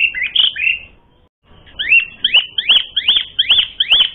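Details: Asian pied starling song used to provoke a rival into fighting; a few quick whistles, a short gap, then a run of ringing arched whistled notes repeated about three times a second.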